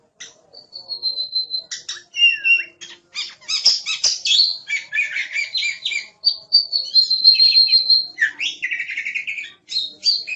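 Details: Kacer, the oriental magpie-robin, singing energetically as a master track for songbirds: long pure whistles alternating with rapid clicking, rattling and chattering notes in dense varied bursts, quiet background.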